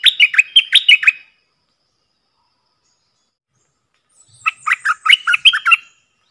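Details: One of four forest-recorded decoy bulbuls: fast bubbly chattering phrases of about seven to nine notes each, two bursts several seconds apart, the second joined by faint high thin notes, otherwise quiet.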